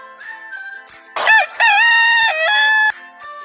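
A rooster crows once: a brief harsh opening, then a long, loud, strained note that holds steady and drops at the end, over faint background music.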